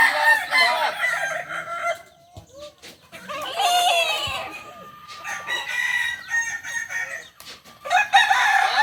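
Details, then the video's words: Kokok Balenggek roosters crowing at a practice contest in Solok: several overlapping multi-syllable crows that rise and fall in steps, mixed with clicks, knocks and background murmur between the louder bursts. "latberan ayam kukuak balenggek di solok"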